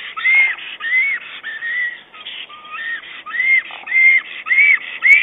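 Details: Black stork calling to its mate while arranging nest material, twigs and moss, nest camera, 22 April 2009. A steady sequence of whistled, arched notes, with a brief lower, flatter section midway, over a light hiss.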